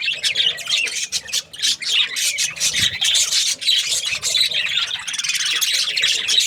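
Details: Budgies chirping in rapid, uneven bursts of squeaky, squawking warbles, the flock chatter rising and falling in loudness.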